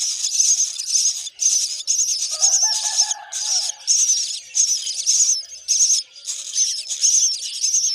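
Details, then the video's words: Myna nestlings beg loudly while the mother brings termites: rasping, high-pitched chatter in rapid bursts separated by short pauses, with a softer lower twittering note in the middle of the run. "Mom bird Myna is feeding termite to hungry babies"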